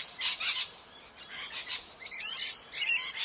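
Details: Short harsh squawks from parrots in the morning, two clusters of screechy notes separated by a quieter gap near the middle.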